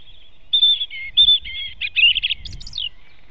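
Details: European robin singing near its nest in a forest at dawn, 05:38 on 8 April 2016. One varied phrase of thin, high whistled notes and quick twittering trills, with soft low rumbling in the background.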